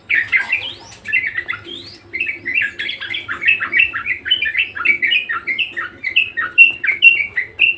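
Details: Budgerigar (Melopsittacus undulatus) warbles continuously and vigorously, mixing rapid chirps, squeaky rising whistles and scratchy chatter in a busy, unbroken stream over a faint low hum.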